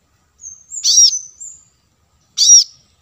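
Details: Lure recording of a plain-throated sunbird, meant to attract wild birds and prompt newly caught ones to respond: a thin high whistle laced with a harsh arched note, then a single sharp chip after a pause.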